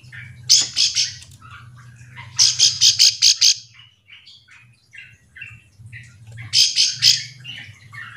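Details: Bar-winged prinia call, used to draw out other prinias so they answer; three clusters of rapid, harsh high notes separated by quieter chirps, with a low steady hum underneath.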